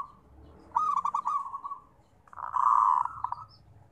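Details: Local zebra dove (perkutut) song, played as therapy for birds reluctant to sing: two cooing phrases, each a burst of quick pulsed notes running into a sustained, slightly vibrating purr, separated by about a second of quiet background.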